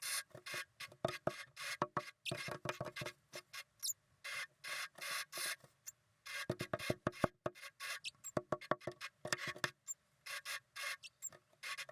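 Only dry scratching, rustling and tapping bursts are heard, with no clear animal call.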